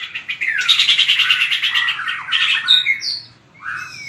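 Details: White-rumped shama practising for singing contests: a long harsh rattling buzz with pulsed texture, followed by clear whistled notes and a rising slur after a brief pause.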